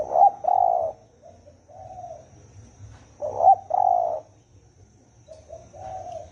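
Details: Spotted dove giving the fast 'thổ ồm' call used to excite 'thổ đồng' birds: two strong short-long coo phrases with softer, lower trailing coos after each, heard against a faint steady hum.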